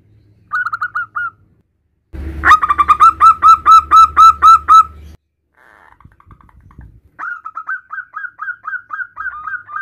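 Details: Local male zebra dove calling its mate: a few quiet notes, then a loud, rapid train of coarse, evenly repeated coos about four per second, silence, and a softer closing series of quick notes.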